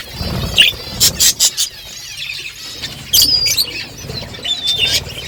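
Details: Budgerigar flock in the morning, birds talking to each other: bursts of high chattering chirps and squeaks in two clusters, with quieter gaps between.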